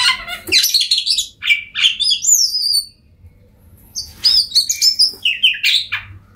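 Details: Oriental magpie-robin singing to coax silent birds into song; rich jumbled phrases with high rising whistles and chatter, a quiet gap of about a second, then another burst of quick notes.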